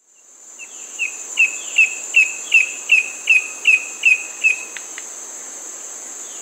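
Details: Bamboo antshrike (Cymbilaimus sanctaemariae), call.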